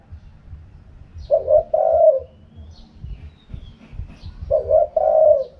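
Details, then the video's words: Spotted dove giving the "karom pa" wild song, two mellow coo phrases about three seconds apart, each a stuttered start and a drawn-out falling croo, with faint distant chirps and low background rumble. "เสียงนกเขาใหญ่ คารมป่า"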